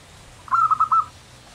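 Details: Local zebra dove singing (manggung): a single short cooing phrase of soft, rolling, trilled notes at a steady mid pitch, ending in three quick pulses over a quiet low hum.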